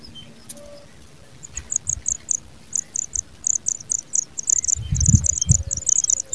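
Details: A pipit working hard for its young gives very high, thin, ticking notes in quick uneven bursts, about two or three a second, over low rumbling background noise.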